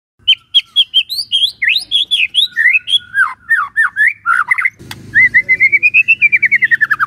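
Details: Morning lure for prompting a quiet white-rumped shama to sing: brisk series of clear whistled notes and falling slurs, then a click and faint low rumble before a long fast trill that climbs and then descends.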